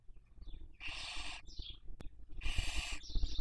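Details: Raising young in the 2023 breeding season, a barn owl on a nest webcam in Cabañeros National Park, Spain, produces two drawn-out, harsh hissing screeches, each trailed by a short higher wheezy note, over low rumble and a single click.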